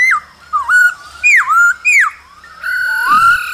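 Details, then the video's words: During the cold season a male laughingthrush sings and dances while a female calls: sweet slurred whistles dropping then rising, repeated about four times, followed by a sustained rising whistled phrase. "Khướu trống hót múa kèm tiếng mái ro kích bổi mùa lạnh"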